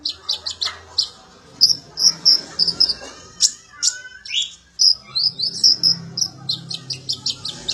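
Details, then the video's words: Sunbird (konin or kolibri ninja) singing as training material for magpie-robins: a long run of rapid high chirps and whistled notes, some grouped in quick clusters, with one lower rising slur midway, over steady faint background hum. "KONIN ATAU KOLIBRI NINJA ISIAN BURUNG KACER"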